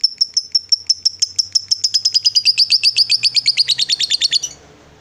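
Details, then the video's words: Female fighter lovebird in long ngekek chatter, a sound meant to bait rival lovebirds: high rattling notes that speed up and grow denser before stopping abruptly after about four and a half seconds. "SUARA LOVEBIRD BETINA FIGHTER, Bikin Lawan Tak bisa Nahan Emosi, Nyaut Bunyi Ngekek Panjang"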